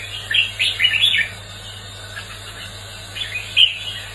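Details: Red-whiskered bulbul competitive song meant to train birds and excite freshly caught ones; a short burst of warbled chirps, then a quieter gap and a few more sharp notes near the end, over a faint steady hum.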